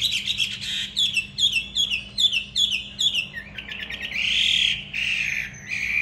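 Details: Trained fighting Hwamei in a cage on an upper floor at home, delivering rhythmic repeated whistled phrases, each a quick falling slur, about one per second, then a rougher, sustained warbling passage and a final clear whistle.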